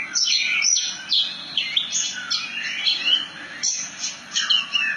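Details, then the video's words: Melodious branjangan (Javan bush lark) song in the ngerol nembak style: high chirps run into twisting, down-slurred whistles and rolling phrases, with barely a pause. "Kicauan Burung "BRANJANGAN" Ngerol Nembak Mantap !!!"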